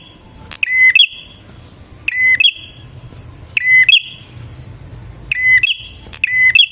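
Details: Repeated song of a bar-winged prinia, used as a lure for wild prinias. Five phrases, each opening with a sharp click, then a flat shrill whistle and a quick trill stretched into a sustained tone. Soft low noise lies beneath.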